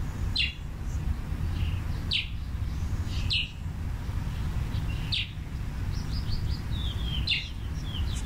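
Scarlet-chested parrot giving short, high, sharp chirps about every one to two seconds, with softer twittering notes between, over a steady low rumble.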